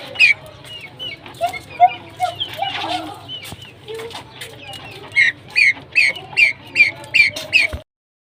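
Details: Captive pheasants give mixed squeaky chirps and clucks, then a quick, regular run of high, sharp notes about twice a second, with a faint low hum underneath.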